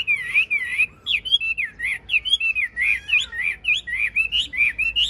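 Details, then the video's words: A tame, large-bodied, yellow-billed caged Chinese hwamei sings a rich, varied run of loud whistled phrases, slurred up and down, about three notes a second with little pause. "Họat Họa Mi"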